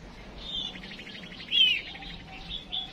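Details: Female songbird used as a decoy to spur males into singing: high, thin whistled chirps with one sharp, louder descending whistle midway and a short high note at the end, over faint low background hum.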